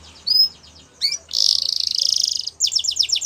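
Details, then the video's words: Spanish Timbrado canary song with a short chirp, a quick upward note, then a sustained dense buzzing roll and rapid descending notes, over a faint low hum. "Spanish Timbrado Canary Singing"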